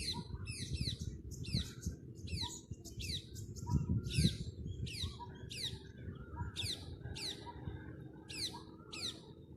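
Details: Parrots in a group chirping. Sharp, high descending chirps come in bursts about once a second, with softer lower notes and a constant low background rumble.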